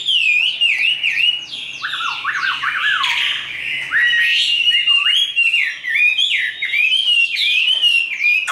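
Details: Caged Chinese hwamei, fully tame, singing fighting song: continuous loud whistling full of wavering slurs, dropping to lower looping notes midway, then climbing back to bright repeated phrases.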